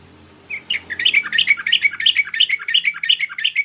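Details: Bulbul (merbah) lure call: a steady run of rapid, evenly spaced chirping notes that rise and fall slightly, about three per second, over a soft low background hum.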